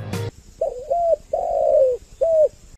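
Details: Spotted dove kept as a decoy bird in Ba Vì, Hanoi, Vietnam, calling a wavering double coo, then a long, level, slightly falling coo and a short final coo. A click opens the sequence, and a faint high steady tone runs throughout.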